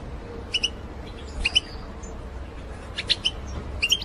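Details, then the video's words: Batbata calls of the goldfinch, played to lure birds for trapping: scattered short high chirps, mostly in pairs, spaced about a second apart over low steady noise. "بتبتة الحسون"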